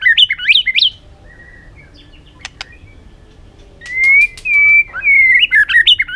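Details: White-rumped shama, trained in varied forest-style singing: quick zigzag whistled notes, a long quiet gap with a few sharp clicks, then a level whistle and further rapid jumping notes.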